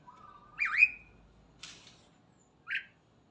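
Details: A starling singing in the morning: a low whistle sliding up into a looping, twisting high whistle, then a harsh rasp and a short bright note, with pauses between.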